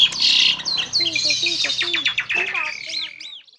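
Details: Yellow-vented bulbul (trucukan) song, long clear recording played to provoke a quiet bulbul into answering: a dense burst of high chattering notes, then quick descending slurred whistles and a final run of rising, upswept chirps.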